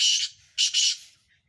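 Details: Black francolin in a calling contest in Sindh, one of five birds: a harsh rasping burst followed by a doubled grating note, loud and abrupt.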